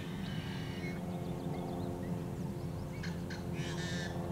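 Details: In summer wetlands by the Great Salt Lake, a yellow-headed blackbird gives a fainter raspy buzz, scattered short chips from other birds follow, then a cluster of loud harsh buzzy bursts near the end, all over low droning noise.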